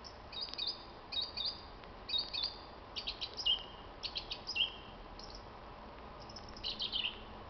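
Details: Common blackbird singing an evening spring song on 26 March 2010. High twittering and squeaky phrases come in short bursts separated by brief pauses, with a couple of clear whistled notes near the middle, over a steady faint background hiss.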